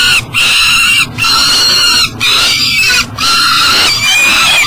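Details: Peregrine falcon with food at a riverside nest box in Elk River, Minnesota, at 7 am, where young eyasses are raised; rough, rasping calls run together almost without break, each broken by a short gap about once a second.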